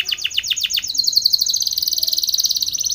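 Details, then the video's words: Spanish Timbrado canary singing for training: a series of sharp descending sweeps about eight times in quick succession, followed by a bright, fast, continuous metallic trill. "Spanish Timbrado canary song for training"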